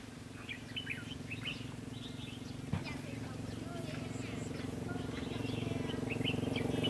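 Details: Decoy red-whiskered bulbul during bird trapping on 22 October 2016: short bright chirps and quick warbled phrases come in scattered bursts over a steady low motor hum, with one dull thump midway.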